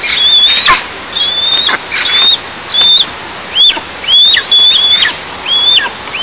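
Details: Eastern imperial eagles at their nest in an oil and gas producing district, captured by a nest camera on 11 July 2024 at 09:14: loud, clear whistled notes, each rising then levelling off, given in quick bursts with sharp knocking and rustling sounds between.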